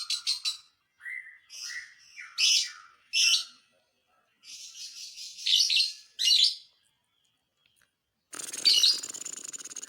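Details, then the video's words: Lovebird calling to rouse other lovebirds: squeaky chirps and harsh bursts in short groups with gaps, ending in a loud burst of broad rustling noise. "dijamin burung Lovebird lain emosi"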